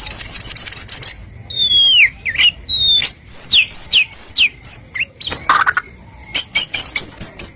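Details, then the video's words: Shama (murai batu) song used to stir other birds to answer: quick high chip series, descending slurred whistles, a harsh burst, then another rapid series of thin high notes. "Putar sebentar burung murai apapun langsung ikut NYAUT"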